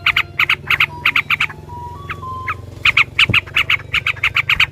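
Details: Yellow-vented bulbul giving a long rolling fighting song meant to provoke a rival into singing: bursts of harsh chattering notes repeated rapidly in groups, broken midway by several steady plain whistles, with low background hum throughout.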